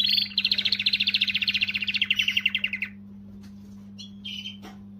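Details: Canary song meant to stimulate females: a rapid rolling trill of evenly repeated notes lasting about three seconds, gradually falling, followed by a couple of short chirps over a steady electrical hum.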